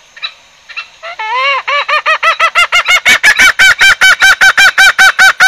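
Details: Green junglefowl lure recording for trapping: after two faint notes, a drawn-out nasal call breaks into a rapid run of loud, rich, evenly repeated clucking notes, nearly three per second, growing steadily stronger.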